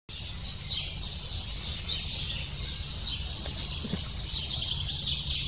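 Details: Lesser spotted woodpecker chick in the nest calling insistently to its parents, which bring food every few minutes; a dense, unbroken wash of high, thin chattering notes, with a steady low hum beneath.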